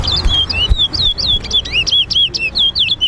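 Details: Towa towa (lesser seed finch) in a two-bird singing race at Lusignan Bird Ground in Guyana. Quick, unbroken chain of clear, swooping whistled notes, some bending up and others dropping, over a low rumble, with a man calling out counts nearby.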